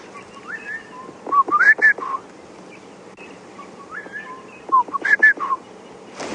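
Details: Southern boubou giving clear, liquid whistled notes in two bursts of quick fluty mid-pitched phrases from thick drainage-line cover. A Cape turtle dove calls behind. Morning drive, Djuma Game Reserve, South Africa, 23 March 2016.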